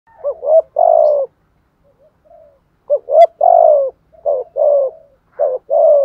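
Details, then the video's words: Spotted dove from the south giving the 'gù thúc' urging coo in phrases: two short rising notes, then a long, drawn-out falling coo, repeated twice with soft low murmurs between. Quiet, clean background. "chim cu gáy gù thúc bai bản giọng hạp bổi nhất miền nam"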